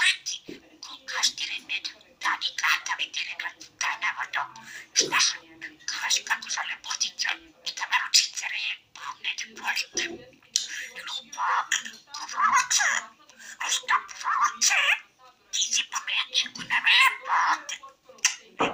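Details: Budgerigar (Melopsittacus undulatus), warble.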